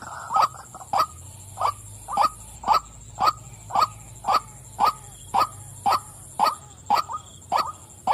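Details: A female white-breasted waterhen gives about thirteen loud, evenly timed croaking 'wak' notes, nearly two per second, crisp and nasal, over a faint steady hum.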